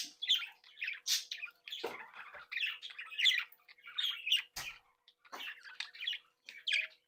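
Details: Budgerigars of a home breeding flock, happy and playful, give busy warbling chatter: rapid mixed chirps, buzzy notes and short squawks overlapping continuously with brief pauses.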